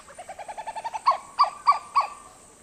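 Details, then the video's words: Western Plantain-eater calling, a rapid run of soft hollow yelps that builds in loudness, ending in four louder, harsher barking notes spaced about a third of a second apart. "The call is a series of yelps that accelerate and become louder,"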